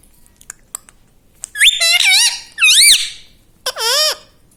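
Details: Talking parrot kept as a pet, repeating "mummy papa": three separate loud, quavering utterances with bending, swooping pitch, spaced about a second apart after a quiet start with faint clicks.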